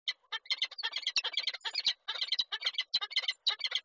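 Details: Peregrine falcon in Koszalin, Poland, on 8 March 2023, as a male arrives with a prey gift that the female refuses before flying off. Loud, rasping, harsh notes in rapid bursts, broken by short pauses.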